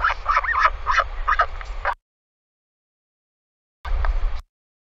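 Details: Royal albatross pair at the nest overnight, live nest camera: harsh, buzzy, stacked call bursts in quick irregular pulses for about two seconds, then a short second burst after a pause, over low steady rumble.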